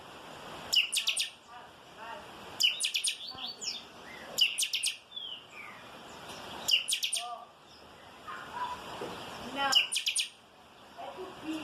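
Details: Chopi blackbird singing in the 'calçada baixa' song style: bursts of sharp metallic clicks and liquid whistled notes come in phrases roughly every two seconds, mixed with softer gurgling notes between phrases.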